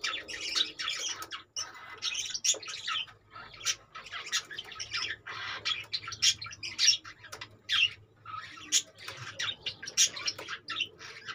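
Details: Caged budgerigars in a steady busy chatter of scratchy squawks and short chirps, many birds calling at once with a low background hum.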